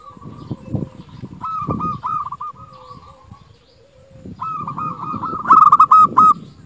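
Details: Local zebra dove singing actively, a rapid series of rolling cooing notes at a steady mid pitch, given in two bursts with a quiet gap between, over low rumbling background noise.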